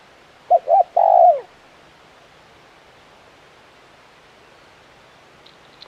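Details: Spotted dove, a frequently calling 'kuk 1' bird, giving a single soft phrase of two short coos followed by a longer falling croo, then quiet background.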